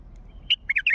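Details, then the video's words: Wild Mandalawi bulbul giving one clear whistled note and then a quick run of three or four rich, slurred liquid notes within a single second. "ندهات بلبل وحشي مندلاوي"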